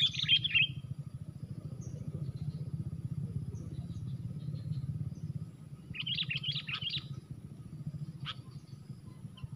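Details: Sooty-headed bulbuls fighting, one bird against four, at a trapping site: two bursts of rapid, jumbled chirping separated by a quiet gap, then a single sharp note, with engine rumble throughout.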